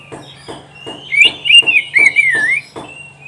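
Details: Oriental magpie-robin (kacer) singing on a training recording for pet birds. A sustained run of warbled, wavering whistles comes over soft, regular low thumps about every half second.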